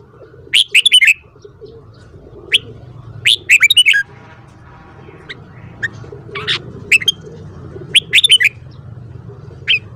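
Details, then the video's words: Red-whiskered bulbul singing in the morning, loud short phrases of three to five quick whistled, warbling notes around mid-high pitch, repeated every second or two with pauses, over a low steady background hum. "Luyện giọng chào mào hót sáng"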